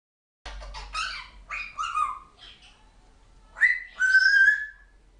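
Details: Pet African grey parrot, a female under one year old, chatting and saying words indoors: short harsh speech-like bursts, then two loud whistled phrases, the last sliding and held near steady pitch.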